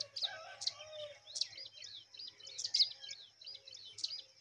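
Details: A mother brown rock chat, wary and protective of her young, gives sharp, high chirps and short slurred notes, roughly every half second, over a faint low hum.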